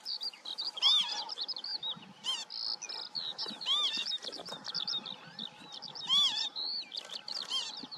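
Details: Northern lapwing calling amid a busy chorus of other songbirds: wheezy, arching slurred notes recur about every two to three seconds over dense high chirping and trills.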